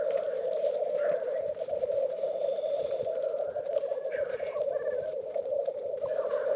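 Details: Lekking black grouse males, recorded from a photo-blind in Västmanland, Sweden, keep up a constant low bubbling drone; short higher chirps and brief hissing bursts break through at intervals.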